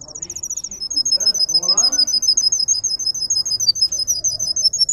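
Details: Russian canary bred for singing: a high, rapid bell-like trill of repeated clear notes throughout, with a faint murmur of low sounds beneath.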